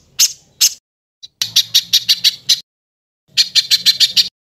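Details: Harsh tembakan kasar song from a tutor compilation for cucak ijo and murai batu: two loud single notes, then short bursts of six to eight rasping high chips, each burst separated by silence.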